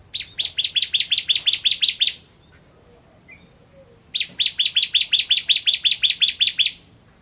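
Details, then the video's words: Bar-winged prinia, called ciblek kristal, in lively song: two long strings of about twelve to fourteen loud, sharp, evenly repeated high notes, with a quiet gap of two seconds between them. "Ciblek Kristal Gacor"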